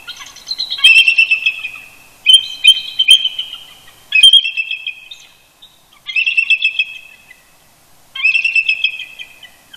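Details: Chortling duet of a pair of eagles near their nest at Big Bear Lake, California, early Sunday morning in November; five separate bursts of piercing, stuttered chirping, each fading out before the next begins roughly two seconds later.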